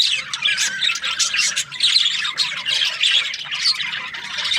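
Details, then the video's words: Several budgerigars calling together, loud grating squawks mixed with quick whistled chirps and warbles, continuous and busy, a faint low hum behind. "Budgies parrot chirping sounds"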